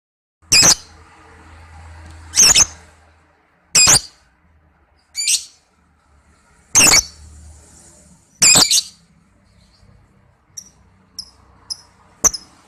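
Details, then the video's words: Lovebird calls used as a lure recording for trapping birds: loud, harsh, high-pitched shrieks repeated roughly every one and a half seconds, followed by a few faint, brief chirps near the end. "Langsung Nyaut PANCNGAN PIKAT SUARA BURUNG LOVEBIRD"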